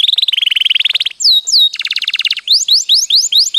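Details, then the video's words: Canary delivering a long roll for a master recording: a fast buzzy trill, two looping whistles, a dense rattling trill, then a run of rising whistled sweeps repeated about three times a second. "mastersn burung kenari gacorr ngroll panjang"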